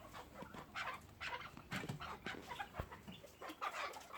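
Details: Captive chukar partridge uttering dry, scratchy chuk calls in loose clusters, pausing briefly between bursts, with low thumps and faint room noise beneath.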